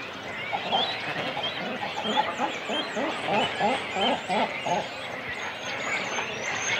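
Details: Cormorant chicks and adults calling on the nest in a breeding colony, recorded close up: a steady run of low, hoarse, grunting notes, roughly three per second, over a busy colony murmur with faint higher calls.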